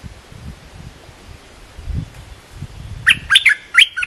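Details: Cream-vented bulbul training song for young birds; after three seconds of low background rumble comes one short phrase of four lively chirped notes.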